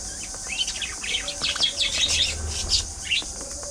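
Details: Budgerigars in a thriving colony; dense overlapping high chirps, twitters and warbles from many birds at once, with a steady hiss of background noise.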